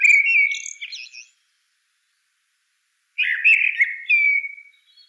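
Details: Blackbird song: a loud, clear whistled phrase with rich warbling notes, a pause of about two seconds, then two more whistled phrases, the last a long, smooth note trailing off. No other sounds.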